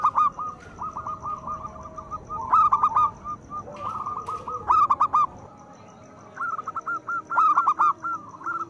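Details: Local zebra dove in full song with a loud voice, used as a lure for doves reluctant to sing: bursts of short, rapid, cooing staccato notes repeated in phrases, with brief pauses between phrases.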